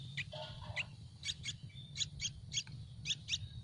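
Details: Hungry Yellow-vented bulbul nestlings begging for food in a nest on a tree: short high chirps, often in quick pairs, repeated about once a second, with a steady low rumble underneath.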